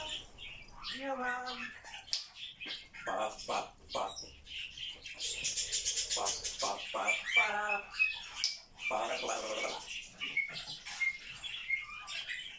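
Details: Pet grey parrot talking non-stop at home, producing speech-like syllables with voice-like tones, mixed with clicks, short squeaks and brief high whistles.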